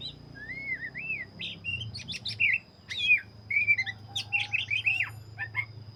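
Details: Energetic song of a black-breasted Oriental magpie-robin: smooth looping whistles open the phrase, followed by dense rapid chirps and buzzy trills at about 100 notes a minute. A steady high tone and a low hum run beneath.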